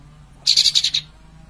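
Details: Sooty-headed bulbul singing energetically with tail spread: one half-second burst of five or six quick, bright, bubbly notes, high-pitched and evenly spaced, over a faint low hum.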